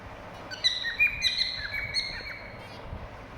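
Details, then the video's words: Whistling cockatiels giving a quick run of sharp, bright chirps and short slurred whistles packed into about one and a half seconds, then trailing off into quieter scattered notes against a faint low hum. "Cocktail birds whistling sound"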